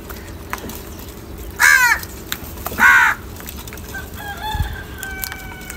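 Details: Several crows gathered, squabbling over salty food: two loud, hoarse drawn-out caws about a second apart, then softer calls and distant whistles amid constant outdoor noise.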